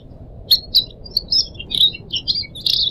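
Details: Pet pied triller in song: sharp high chirps starting with two clicking notes, then a run of buzzy, scratchy twitters ending in a dense burst, with a low gurgle of running water throughout.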